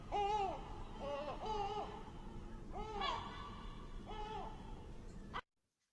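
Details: Yellow-legged gull (Larus michahellis), heard from a balcony in suburban Barcelona, gives loud, nasal, arched 'kyow' notes, about one per second in short bursts, over a faint hum; the sound cuts off abruptly.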